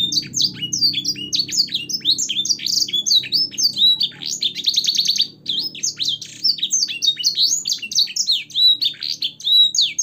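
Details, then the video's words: Caged-bird training recording of a canary singing an elaborate song with blackthroat and sanger-style phrases. A continuous, fast run of high sweeping whistles and chirps, with a buzzy rapid trill near the middle. A low hum stays underneath throughout. "suara burung kenari gacor isian blackthroat dan sanger untuk masteran"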